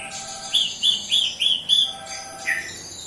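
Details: Javan bush lark of local Kediri stock singing actively: five clear whistled notes repeated about every third of a second, then a lower whistled note, with a steady faint hum behind.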